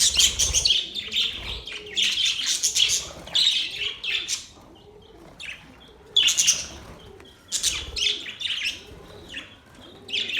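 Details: Budgies chirping happily in bursts: loud, fast, twittering chatter that stops for brief pauses and resumes, with soft low arching tones in the background.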